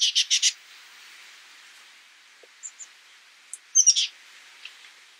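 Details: Oak titmouse giving a quick burst of four harsh, rasping notes, then short high chips, and another cluster of three rapid scratchy notes near the end, over a faint steady background hiss.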